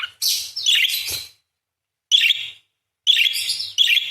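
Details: A parakeet in full song for songbird tutoring. A long grating, buzzy warble is followed by two shorter raspy bursts, all fairly loud and separated by pauses of about a second.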